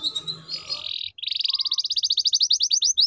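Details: Canary tutor song for young canaries learning to sing: after a jumbled start comes a steady series of rapid rising notes, about eight per second, clear and high.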